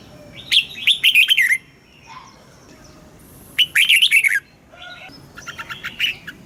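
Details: Caged red-whiskered bulbul singing its morning training song: two loud warbled phrases of looping whistles about three seconds apart, with a few softer chirps between and a quieter phrase at the end.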